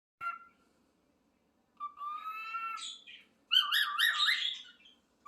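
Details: Pet parrot imitating a cat and saying its own name: a short squawk, then a drawn-out mewing tone about a second long, followed by a wavering meow-like call that rises and falls, all in a quiet room.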